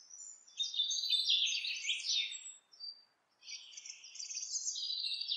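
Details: House wren singing while building its nest; a rich gurgling run of rapid high chattering notes, a brief pause, then another bubbling burst.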